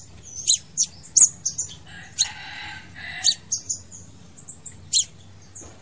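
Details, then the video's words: Crimson sunbird, its song used to lure or trap birds: scattered sharp high chips and short twitters, quieter, with a lower buzzy rattling passage in the middle. "TIẾNG CHIM HÚT MẬT XÁC PHÁO HÓT .MP3 | Aethopyga siparaja bird song"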